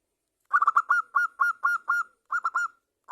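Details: Local zebra dove, a champion singer, cooing as a lure to get other zebra doves singing: quick rolling staccato notes, then evenly spaced clear whistled coos, a short pause, and another rolling phrase in a quiet setting.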